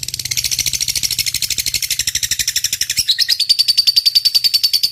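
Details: Lovebird delivering a long 'ngetik' song for training other birds: a continuous, fast stream of harsh high chirps that shifts after three seconds into a steadier, thinner whistled trill, with a faint low hum beneath.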